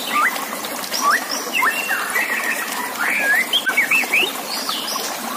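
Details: White-rumped shama singing on a song-contest master recording: varied clear whistled phrases, some rising, some looping, with a few higher notes. Continuous gurgling water runs underneath.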